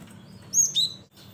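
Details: Cinereous tit in lively voice, used as a lure for bird trapping: two very high, thin, clipped chirps in fast succession, the second slightly lower, above a steady low background hum.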